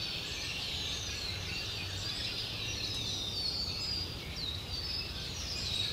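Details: A huge unseen flock of Red-winged Blackbirds on a quiet bayou morning at Jean Lafitte Barataria Wildlife Preserve, south of New Orleans, gives a steady chorus of overlapping high chips, whistles and squeaky chatter over a low rumble.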